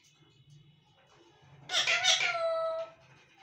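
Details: A talking parrot voices one loud, rasping, speech-like utterance lasting about a second, with strong harmonic tones, against a quiet indoor background.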